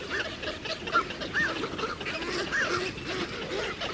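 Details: At a nesting colony in Azerbaijan's Ag-Gol National Park, 2013–2014, a Eurasian spoonbill with chicks on the nest: short, rising-then-falling, ringing calls repeated about once a second over a constant background of many distant birds.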